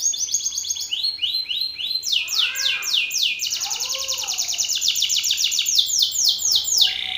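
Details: Belgian canary male singing forcefully at another male: rolling trills of sweeping high notes several per second, with a softer warbled phrase mixed in, steady and loud throughout.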